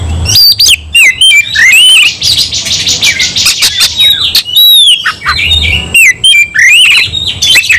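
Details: Fighting-mood White-rumped shama pouring out a vigorous song of clear swooping whistles, rasping buzzes and rapid chips, loud and nearly continuous.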